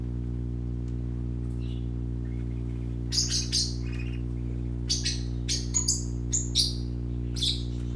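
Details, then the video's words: Colorful baby parakeets at play give scattered, sharp, high chirps and short squawky notes in loose bursts from about three seconds on, over a steady low electrical hum. "Color ful Parakeet Babies playing - Original sounds"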